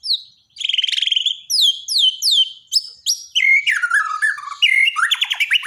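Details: Daily training song of a Borneo white-rumped shama for shamas that have stopped singing: a buzzy trill, then a series of repeated high downslurred whistles, then fast varied warbling and a rapid chattering trill.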